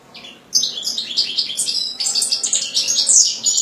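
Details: European goldfinch launching into lively song after a half-second of near quiet: rapid, high tinkling twitters mixed with buzzy notes and bright whistles, continuing without a break.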